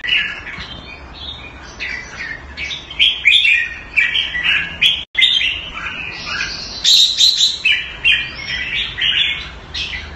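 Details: A cage-kept red-whiskered bulbul in Singapore, raised Thai style, sings a lively run of short whistled notes building into fuller rising, bubbling phrases, with one abrupt break midway.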